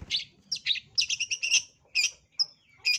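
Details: Long-tailed shrike in aggressive fighting mood, lure recording: quick scratchy, buzzy high notes in clustered bursts, one thin pure whistle near the end, over a soft low rumble.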